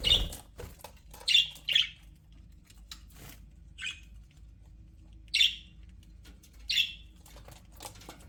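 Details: Budgerigar chirps from a happy aviary flock: sparse single sharp notes, some quick pairs, separated by gaps of one to two seconds, against a faint crackling background.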